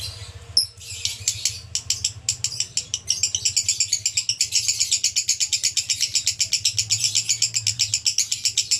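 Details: Male lovebird konslet song begins with a few squeaks and uneven notes, then settles into a sustained, rapid, buzzy pulsing of high chatter at about four beats per second.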